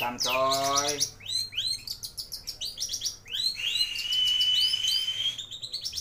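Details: A long-tailed shrike delivers busy song packed with fill-in phrases. It opens with a low buzzy nasal note, followed by rapid arched chirps and then a long, level, thin whistle lasting over a second.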